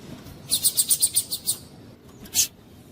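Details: Double-collared seedeater, with a female calling to stimulate a male: a rapid series of about eight short, sharp, high chipping notes, evenly spaced, followed by one louder chip after a pause.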